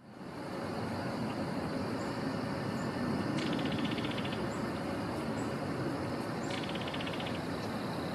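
Two dry, rapid clattering rattles, each about a second long and a few seconds apart, from a Belted Kingfisher over a steady rushing roar of running water.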